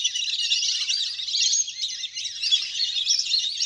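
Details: Ducks in a large flock at play on the water, recorded from nature to draw birds down: crowded, high-pitched whistled chatter pours on continuously, dipping briefly midway.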